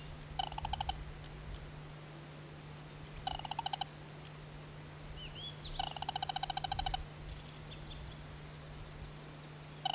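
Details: Band-bellied crake recorded north of Vladivostok around 18 June 2000, a rare vagrant: rattling pulsed bursts about every three seconds, the longest nearly a second, with faint thin whistles from another bird and a constant low hum.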